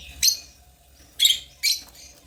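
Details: African lovebirds chirping: three sharp, bright high chirps spaced about half a second apart, each a brief burst with silence between, over a quiet background.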